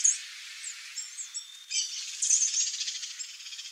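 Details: Female swallow tanager giving very high, thin chips and a short buzzy rattling burst, with sharp clicks scattered between the notes.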